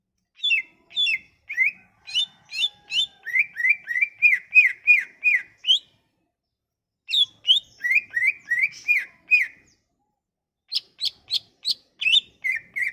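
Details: Sumatran leafbird song played to entice leafbirds that have gone quiet to sing: long rapid runs of bright whistled notes, some slurred downward, others sharp and high, broken by two short pauses.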